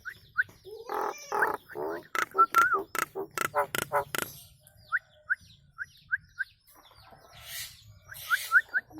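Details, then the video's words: Song of a Nias hill myna for training cage birds: short clear whistles repeated in small groups, broken by a burst of sharp clicks and nasal notes. "Masteran Burung Jalak Nias istimewa"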